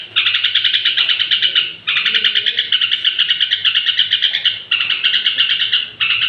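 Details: Straw-headed bulbul at bedtime, song meant to fire up other bulbuls: loud, sustained rapid trills of sharp repeated notes in phrases of up to three seconds, with short breaks, over a low hum.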